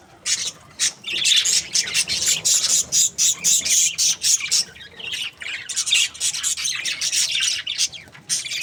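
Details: Happy breeding pair of budgerigars giving rapid pulsed chirps, buzzy and high, in two long bursts separated by a short lull.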